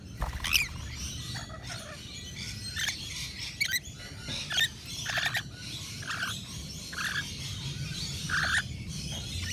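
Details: Rainbow lorikeets at a balcony feeder serving nectar mix produce busy screechy chatter, short shrill squeaks and buzzy notes coming thick and fast, amid steady low background noise.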